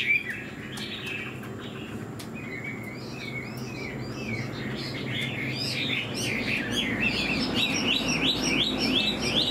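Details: Hwamei kept in a cage, new feathers and fanned tail, starts with softer scattered whistles that build into a quick, rhythmic run of rising notes, louder toward the end.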